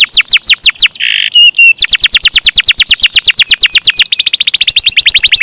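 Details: Singing canary performing a long roll of rapid descending notes, broken near one second by a harsh buzzy phrase, then resuming and tightening into a faster trill at the close.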